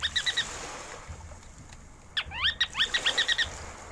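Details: Ruddy turnstone calling: a short burst of quick, high chattering notes, a pause, then a longer run of rapid, slightly rising twittering notes, over a low steady rumble of background noise.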